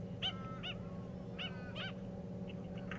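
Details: Australian Pied Oystercatcher foraging among stranded seagrass wrack in the shallows of Peel Inlet, Western Australia, gives loud, ringing piping notes in two quick pairs, then fainter calls, over a low rumble of wind or surf.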